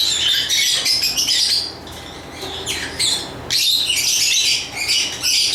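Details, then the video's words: Lovebirds chirping in dense, shrill bursts of high squeaky notes, with busy stretches broken by brief quieter gaps near two and three seconds. "Lovebird Chirping Sounds"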